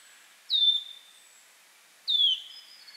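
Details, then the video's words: A Wood Warbler gives two clear, plaintive whistles, each sliding downward, about one and a half seconds apart, against a faint background hiss. "Wood Warbler"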